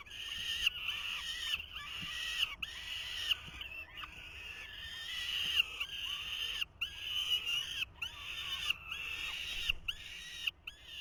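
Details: Falcon chicks, 2023 nest, clamouring as the male tries to feed them: a long run of rasping screeches, each roughly a second, repeated with brief gaps throughout.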